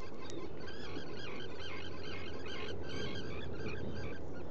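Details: Black guillemot in a nesting burrow at Seal Island NWR, Maine, on the afternoon of 29 June 2018, giving a steady run of squeaky, reedy calls, several a second, over a constant low rumble.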